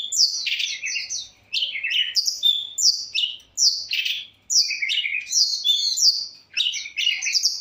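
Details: Long-tailed shrike singing varied phrases near a phone: high, thin whistled slurs and sharp chirps come in clusters about a second long with brief gaps between. The background is quiet.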